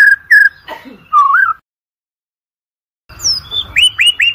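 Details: White-rumped shama song, used as a lure recording for training competition birds: clear whistled phrases sliding between mid and high pitch, then a pause of about a second and a half, then a run of quick rising upslurred notes.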